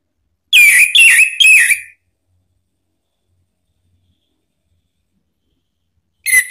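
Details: Orange-headed thrush whistling a lure phrase to draw a reply from another bird: three quick, loud whistled notes with buzzy overtones over roughly a second and a half, followed by silence and a faint restart.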